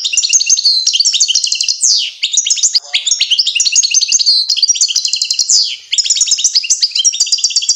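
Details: European goldfinch song while fledglings, young goldfinches, learn to feed: a loud, fast, continuous twittering of high tinkling notes, rapid trills and short buzzy slides, with brief pauses near two and six seconds.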